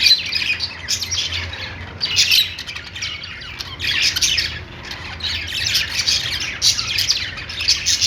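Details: Many budgerigars in a pet store chattering and squawking, harsh, scratchy high chirps coming in dense bursts roughly every second or two over a constant low hum.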